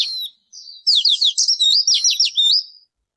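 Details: Bird uttering a continuous run of quick, high, wavering chirps lasting about two seconds, preceded by a short buzzy note; no other sounds.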